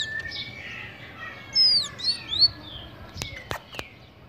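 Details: Tanager singing: a few thin, high, whistled notes sliding downward in the middle of the clip, followed by several sharp clicks over a low background hum.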